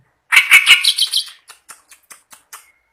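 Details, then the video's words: Kept clamorous reed warbler in full, vigorous song, day and night: a loud harsh churring phrase, then a string of short dry clicks spaced a fraction of a second apart, fading before a new burst begins. "burung kerak basi gacor ngamuk siang malam"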